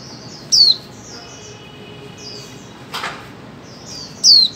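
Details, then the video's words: Female white-eye calling to prompt mute birds into song: two loud high descending whistled notes about four seconds apart, softer buzzy trills between, and a brief noisy burst near the middle. "Khuyên mái 2024 hàng giành cho chim câm"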